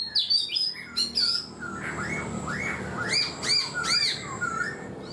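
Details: Caged black-throated laughingthrush, four months in captivity, mixes high whistles with soft arched notes and three loud clipped calls in quick succession.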